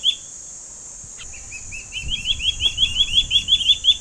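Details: Two juvenile Gabar goshawks waiting in a tree for their parents to bring food give high, thin piping begging notes, quickening to about three a second, over a steady high insect drone.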